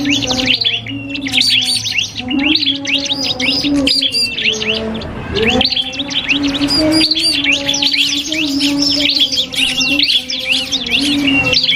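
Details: Cipoh kristal iora in a singing duel with a prinia for birdsong training: long runs of quick, piercing chirps and whistles, several short pauses, and a steady low drone throughout.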